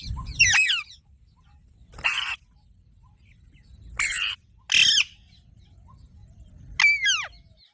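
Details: Piercing harsh screeches from an Alexandrine parakeet, delivered singly or in pairs with silent gaps, the last one sliding downward in pitch.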